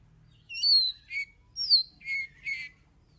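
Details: Oriental magpie-robin song meant to coax other birds to sing: five loud, separate whistled notes, some sliding downward and some flat, spaced about half a second apart, with faint low hum behind.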